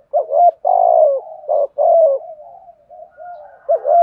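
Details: A spotted dove calls steadily to lure wild doves, giving loud, deep, throbbing coos in quick succession with softer drawn-out notes between them, ending on another strong coo.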